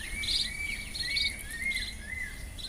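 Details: White-rumped munias in the Garo Hills, Northeast India, give thin, high piping notes and short chirps in quick succession, over a steady high insect buzz and faint background noise.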